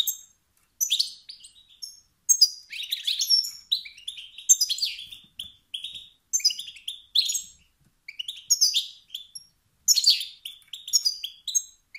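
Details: Competitive calls of a male European goldfinch, which drive other males to sing: fast, tinkling twitters and scratchy chirped phrases repeated in bursts every second or so, separated by short gaps.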